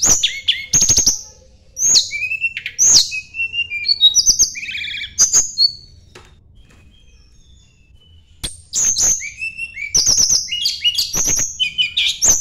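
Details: A Sunda blue robin seeking a rival delivers rich, high whistled phrases mixed with dense clicking and chattering trills, in two long bursts with a quiet pause between them.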